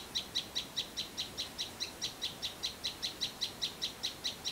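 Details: Flowerpecker calling from a village backyard garden in Vietnam, giving a regular series of sharp, high, ringing chip notes, roughly two or three each second, over quiet rural background noise.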